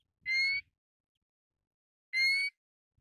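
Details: Two clear, slightly upslurred whistles from a Pacific golden plover, about two seconds apart, rich in harmonics, with brief low thumps before the first and silence otherwise.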